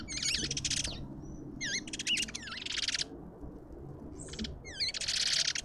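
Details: Lovebirds visiting a suburban garden feeder in Pretoria, South Africa, give shrill, wavy high notes mixed with dense raspy chatter bursts, several in quick succession, with faint low background hum.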